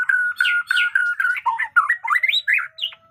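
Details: White-rumped shama with new feathers singing its fierce batuk koral and muntah beling style, a loud run of steady whistled notes breaking into quick, jumping slurred phrases that rise and fall.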